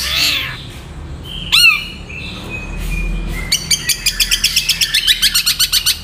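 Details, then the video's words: Long-tailed shrike in quick 'nyeklek' style: a few slurred whistles and a sharp rising squeal, then a fast even series of about fifteen clipped high chirps. "MASTERAN BURUNG CENDET SPEED RAPAT GAYA NYEKLEK"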